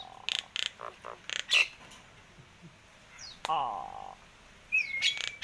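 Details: Nias hill myna, recorded 17 October 2021 while being talked to. Bursts of harsh, clicking and squawking notes come first, then a rasping sweep, and finally a rising whistle that levels into a sustained tone.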